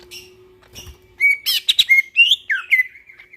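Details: At night a greater green leafbird delivers fast chattering notes followed by a series of clear, slurred whistles, some dropping in pitch, over a faint low hum.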